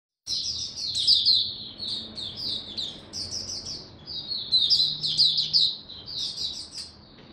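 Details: Caged oriental white-eye in the 'buka sing raja' singing style, kept on an adjusted diet during cold rainy weather: a fast, continuous high twittering of short chirped notes, rising and falling in quick bursts, with a few brief gaps.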